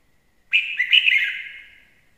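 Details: Red-whiskered bulbul singing a single loud, rich phrase of rapid slurred whistles and warbles that fades away over about a second.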